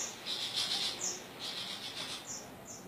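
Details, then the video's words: Long-tailed shrike from Madura singing: harsh, scratchy high notes in short bursts, with a few thinner whistled notes between them, over steady background hiss. "Suara Burung pentet madura gacor"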